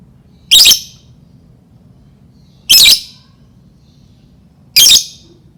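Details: Three shrill, raspy lovebird bursts about two seconds apart, played as a lure to stir other lovebirds into song, with quiet low humming between them.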